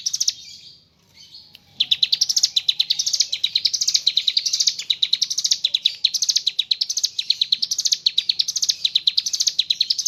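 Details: After a soft, hazy opening sound and a short hush, a mountain leaf warbler launches into ngebren song with kapas tembak phrases: rapid, high, repeated chips in rising waves for eight seconds.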